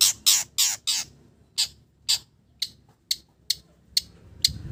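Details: Long-tailed shrike imitating village birds: harsh, raspy squawking notes, a loud rapid group at first, then more spaced single rasps fading in strength.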